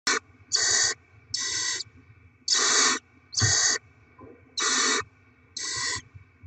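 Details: Barn owls in a nest box during rodent deliveries and chick feeding, 7 February 2024: broad rasping hisses about half a second long, repeated at irregular intervals, with faint scratching and shuffling between them.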